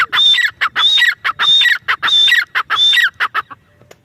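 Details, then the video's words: Grey francolin giving its loud, ringing call: harsh, grating phrases with a high whistled start and a falling tail, repeated about five times in quick rhythm, each followed by short clipped notes. "Gary francolin birds | dakni teetar ki awaz | teetar voice | teetar sounds bhory teetar ki awaz"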